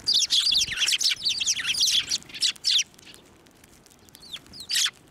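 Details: Several sparrows flying onto a hand to be fed at a Tenmangu shrine, March 2024: dense bursts of harsh, buzzy chirps in the first three seconds, then scattered thin notes and a final burst.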